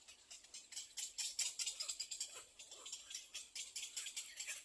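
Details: Little egret chick at the nest biting its mother for food, begging with rapid dry ticking and rattling pulses, about two to three per second, high and scratchy, steady throughout the clip.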